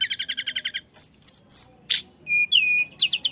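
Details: Flycatcher in constant song, played to trigger singing in other birds: a fast string of about nine identical chirps, then clear high whistles, a harsh burst, and a falling whistled slur.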